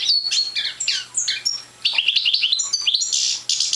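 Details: A young Parva goldfinch not yet in full song gives varied high chirps and slurred notes, a short pause, then a quick run of repeated twittering notes and a buzzy ending.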